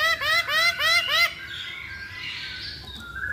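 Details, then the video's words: Masked laughingthrush song used as a lure to set other birds singing: four loud upswept, harmonic-rich notes in quick regular succession, then softer, drawn-out notes and faint background chatter. "Pancingan Poksay Hongkong Paling Ampuh"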